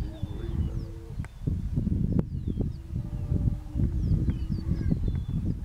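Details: Six male Greater prairie-chickens (Tympanuchus cupido) booming in courtship display in a farm field beside a prairie, 3 April 2013: low, hollow moaning hoots overlap steadily, with thin high whistles and cackles above and a rumble of wind.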